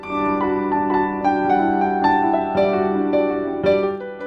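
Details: Gentle piano music with sustained chords and a soft melody, and no animal voice anywhere.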